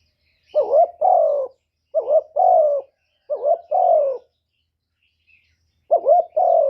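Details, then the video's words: Spotted dove used as a lure bird, giving a lure call: four phrases, each a quick wavering double note followed by a longer falling coo, with pauses between them on a quiet background. "CU gáy Mồi Cực hay hạp bổi thúc gù bổi ghét, tiếng chim cu cườm, cu đất"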